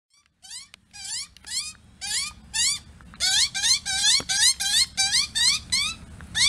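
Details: A male Australian magpie, from a family raising chicks in a tree above an apartment, sings rich flutey upward-swooping notes, about two a second, sometimes in doubled bursts over faint rumble, just before a thunderstorm, interrupted by noisy miners.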